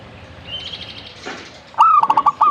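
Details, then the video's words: Zebra dove delivering one bright phrase: a sharp coo, then a fast string of throbbing pulses ending in a drawn-out rolled note. A faint high chirping from another bird comes before it. "burung perkutut"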